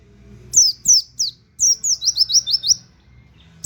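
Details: Indonesian white-eye used as a training model for cage birds, giving a "nembak" canary-like song: three separate high falling chirps, then a quick run of about eight descending notes, with a low background hum.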